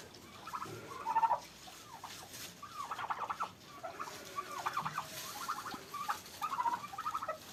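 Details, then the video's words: Farm turkeys fighting in Pakistan: warbling gobble bursts and rattling chatter recur irregularly through the clip, mixed with scuffling sounds. "Turkey vs Turkey at my Farm||Turkey Fight||Fight at Farm"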